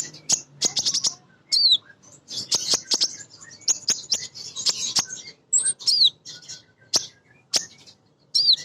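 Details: Singing female Van Hasselt's sunbird (kolibri ninja), a lure to stir other birds into song. Bursts of very high chattering chirps, sharp clicks and occasional looping slurred whistles, with short gaps.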